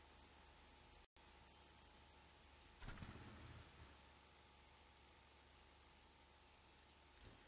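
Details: Black redstart chicks nesting in an old furnace pipe of a building scheduled for demolition, Poland, day eleven; a series of high chirps that gradually softens and slows, with a muffled rumble partway through.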